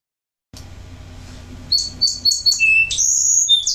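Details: A male Song Sparrow in Washington, a permanent resident that sings a repertoire of about nine songs to defend his territory, sings a quick run of high, clipped notes, then a buzzy trill and a sweet ending phrase; faint room hum underneath.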